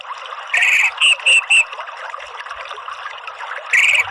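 Orange-headed thrush giving a harsh, buzzy burst, then three short scratchy notes in quick succession and a final burst, over a steady background hiss.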